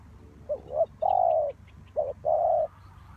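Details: Trapping lure spotted dove calls twice: a short wavering two-note lead-in, then a long flat low coo, over light background rustle and faint chirps.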